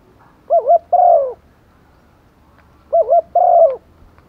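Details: Decoy hen spotted dove calling males during the rainy season, giving two mellow phrases roughly two and a half seconds apart: a bouncy double coo, then a longer coo that falls away at the end.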